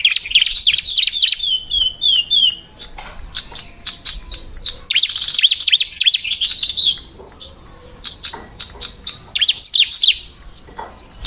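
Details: Female Bar-winged Prinias (ciblek) give busy, high-pitched chirps in quick irregular bursts, with thin descending whistled notes early on and a short pause near eight seconds. The sound is clean, with no other noises.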